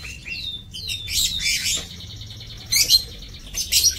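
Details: Lovebirds in an aviary on 7 June 2024: high whistled notes that rise and fall, mixed with overlapping shrill chirping bursts from several birds.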